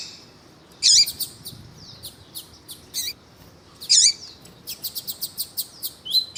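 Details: Male Double-collared seedeater with a female calling to excite him for song competition; loud high chirps spaced by bursts of thin ticking notes, ending in a rapid string of short chips.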